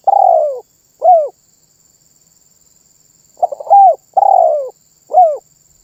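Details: Spotted dove singing energetically in a way said to draw other birds into calling along: a run of mellow, low coos, some rising then dropping, given in short phrases with pauses of about two seconds between groups, and no other sounds.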